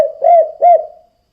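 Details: Spotted dove used as a lure for other doves, giving two short hooting coos around 600 to 700, each rising slightly then falling, half a second apart, in clean quiet surroundings.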